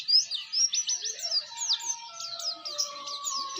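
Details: Oriental white-eye in a fast, continuous ngeriwik twittering song used as a training master for other white-eyes: high, tumbling chirps and trills with thin lower tones underneath.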